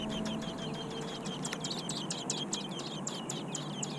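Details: American robin nestlings in their nest, described as huge, giving a rapid chorus of high, thin, repeated chip-like notes with sharp downward flicks, overlapping throughout over a steady low background hum.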